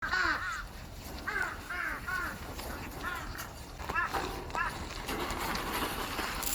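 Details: Crows calling while being fed on January 23, 2026: a string of hoarse, harsh caws, some paired and others single, spread across several seconds, with a person talking and general outdoor noise underneath.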